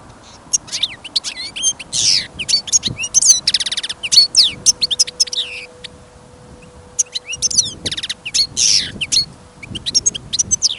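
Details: Caged goldfinch on a winter trapping outing, with fresh snow and wind, pouring out a long twittering song: dense high chirps, buzzy rattles and slurred whistles in two phrases separated by a short lull, faint low rumble beneath.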